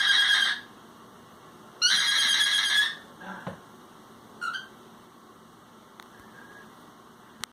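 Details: Pet cockatiel making a funny noise indoors: two loud, raspy, buzzing squawks, the second about a second long, followed by a few faint short chirps and clicks.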